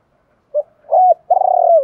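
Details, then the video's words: Spotted dove call for prompting wild-caught birds to call: a short soft note, then a smooth coo and a long burry, slightly falling coo, in a quiet setting. "Tiếng chim cu gáy kich bổi mới[ tiếng thúc . gáy gọi ] chim cu gáy giọng hạp bổi, giúp bổi mau lên"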